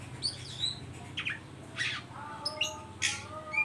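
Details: An Oriental magpie-robin's ngeriwik call, a lure to get young birds singing: scattered high chirps and buzzy notes over a steady low hum.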